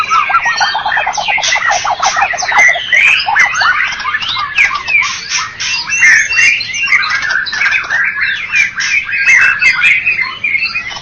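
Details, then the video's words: Champion white-rumped shama, Medan and Java birds, at a singing contest: opens with quick repeated clicking chips, then breaks into a dense, scratchy, mimic-like stream of chatters and whistles. "Murai batu Medan dan Jawa Juara Satu Pemenang Lomba Bird Copsychus malabaricus Suara Burung"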